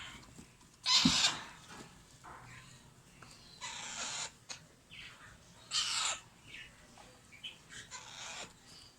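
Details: Captive Alexandrine parakeet chicks begging while being fed: harsh, broadband rasping squawks in spaced bursts, a loud one near the start and others every one to two seconds, with softer rasps between.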